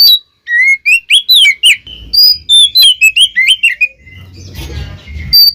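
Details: Two Oriental magpie-robins singing to stir up other magpie-robins: a fast string of sweet whistles and upslurred chirps, then a short stretch of rustling noise before a final note.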